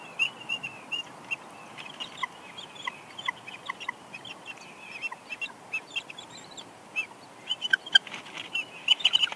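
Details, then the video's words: Female bald eagle at her nest at Big Bear Lake, California, on 6 March 2021, whining softly while the male brings a headless fish and as she eats; a long run of short, high, chattering notes, thickening toward the end. "Jackie Whines Softly As Shadow Brings Headless Fish"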